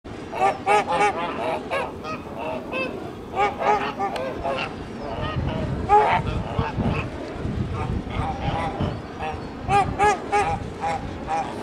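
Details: Flock of Kholmogory geese on a farm on 1 March 2019: repeated nasal, harmonic honks, some in quick pairs and clusters, over steady low background rumble and chatter.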